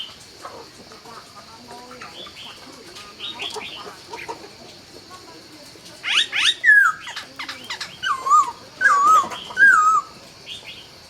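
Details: Laughingthrush singing at dawn in Vietnam: quiet scattered notes at first, then loud, clear whistled phrases from about six seconds on, with rising and falling slurred notes repeated in quick bursts.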